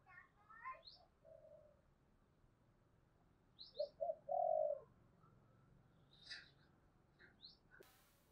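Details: Spotted dove 'thúc gù' coo, 'thổ đồng' voice, meant to draw wild doves to call. Quiet, distant coos build to a brighter long coo midway, while thin high chirps of other birds and a steady background hiss continue throughout.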